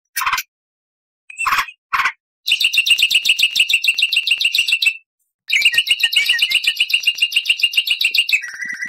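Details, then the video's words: Loud black-winged starling in full song, opening with three short harsh notes, then long fast rattling chatter of rapid repeated buzzy pulses, a brief gap, and another extended rattle ending in a lower squeal; clean recording. "MASTERAN JALAK PUTIH GACOR FULL ISIAN"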